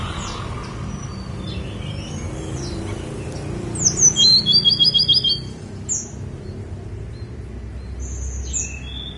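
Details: Snowy-browed flycatcher from Gunung Songgo Langit: a brisk burst of high, tinkling, rapidly repeated notes lasting about two seconds, followed by sparse thin squeaks, with a constant low hum in the background.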